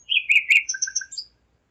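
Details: Common nightingale singing at 01:55 at night on 5 May 2017 in Zeitz, Germany: a short phrase opening with a downslurred whistle and buzzy chirps, then three evenly spaced low whistled notes under thin high whistles, ending after about one second.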